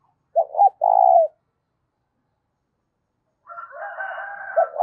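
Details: Spotted dove in a loud, clear voice for stirring up decoy doves. A single coo phrase, a quick double note then a long hollow tone, is followed after a pause by a higher, drawn-out call from another bird.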